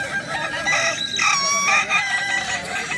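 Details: Kukuak Balenggek roosters at a crowing contest in Danau Bawah on Sunday, 6 October 2024: long, sustained harmonic crows with several layered tones that rise and fall, over a steady murmur of crowd chatter.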